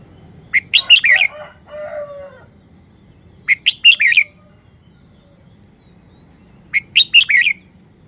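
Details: Red-whiskered bulbul delivering three near-identical phrases of clear, quick whistled notes, each ending in a slurred flourish, repeated about every three seconds. A short, lower, wavering note follows the first phrase.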